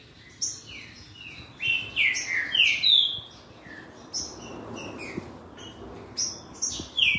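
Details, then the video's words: Green-winged saltator song in a racha, a singing duel meant to excite another bird into singing: loud slurred whistles sliding downward, with higher sharp notes over them in bursts, overlapping phrases suggesting more than one singer. "RACHA QUE ESQUENTA SEU TRINCA FERRO EM 5 MINUTOS!"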